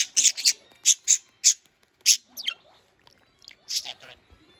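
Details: Pet budgerigars scurrying around indoors give a run of short, harsh, high chirps in quick bursts, about a dozen over under five seconds, with brief pauses and a few softer scratchy notes between.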